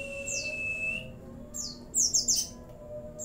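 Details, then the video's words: Oriental white-eye (pleci) singing a song filled with cililin, bren and cigun phrases: a high descending chirp, a long level thin whistle, then a quick cluster of sharp high notes, with a soft background hum. "pleci gacor isian CiLiLin sambung bren cigun"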